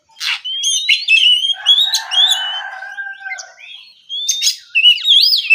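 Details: Oriental magpie-robin singing in the morning, a relaxed open song: sweeping whistled notes near the high register with brief chattery bursts and a lower buzzy passage, pausing then resuming with wavering whistles.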